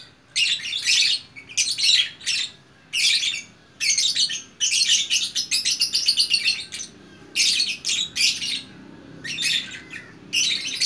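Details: A group of lovebirds chattering together like an orchestra in Bukittinggi, West Sumatra. Harsh, buzzy, high chattering in bursts of one to two seconds, with brief pauses between them, over a faint low room hum.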